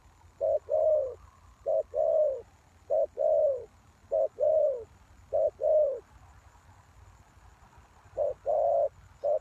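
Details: Lure spotted dove used for trapping wild doves, giving repeated low coos in pairs, a quick note then a longer falling one, with a brief pause midway before calling resumes.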